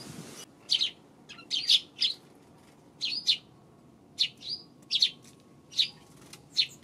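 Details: Eurasian tree sparrow on 2 March chirping steadily: loud, high, clipped chirps, often in pairs, roughly every half second to second across seven seconds, quiet in between.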